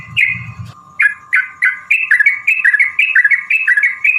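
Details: Yellow-vented bulbul song as a lure to provoke rivals: rapid series of short bubbling whistled notes, each dipping and rising, repeated about twice a second, over a constant faint hum.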